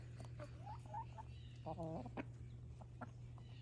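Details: Pet hens eating a winter snack, giving soft short clucks and a few rising squeaky notes, with a low steady hum behind and a person calling them nearby.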